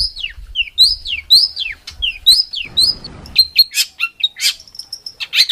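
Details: A songbird gives a competition-style song with rough bursts, a quick, varied run of high whistled notes sliding downward, with brief chirps and a few harsh, buzzy bursts toward the end.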